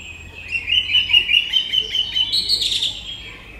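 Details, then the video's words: Song thrush song delivered as a rapid series of short, chirpy notes repeated many times at an even pitch, ending in a brief higher flourish; close and clear with little background. "The Voice, Song Thrush"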